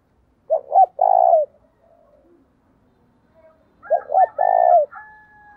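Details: Spotted dove kept as a decoy and cooing to provoke rivals; two identical phrases about three seconds apart, each of two brief hooting notes leading into a sustained coo, with faint thin whistles after the second.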